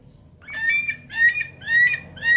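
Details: Javan pond heron (Ardeola speciosa) gives four loud, harsh, nasal squawks in quick succession, each rich in harmonics and gently rising, with almost no other sound.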